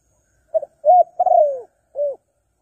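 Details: Spotted dove call played as a lure for less aggressive wild doves: a short low coo, then a long rising-falling crooning phrase, and a final brief coo, all mellow and mid-pitched over a silent background.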